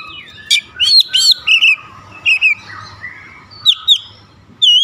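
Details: Agitated Oriental magpie-robin roused by a rival's voice, pouring out varied song: clear looping whistles and quick slurred notes in short bursts with gaps, one squawky high note early, faint low background hum.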